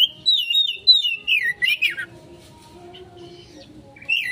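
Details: Oriental magpie-robin lure song, a descending series of clear slurred whistles repeated several times a second, followed by quiet with faint hum and a final rising note.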